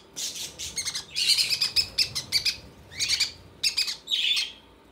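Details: Baby conures being fed by their mother, calling in dense runs of scratchy chirps and rasping squawks that cluster into longer bursts with short pauses between them.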